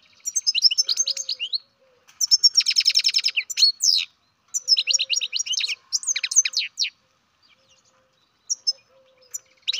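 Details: Captive-raised baby European goldfinch chattering at length, with rapid runs of high chirps, a buzzy rattling stretch, and sliding whistled notes in bursts across nearly ten seconds, ending in scattered single chirps.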